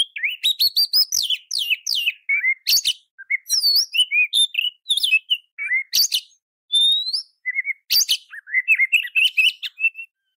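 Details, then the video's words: Sustained oriental magpie-robin song intended as training for other magpie-robins, fast mix of slurred whistles, rough scratchy blasts and sweet warbled runs with few pauses. "Masteran & Terapi Kacer Bongkar Isian Kacer Manapun Bakal Nyaut Emosi Dan Gacor"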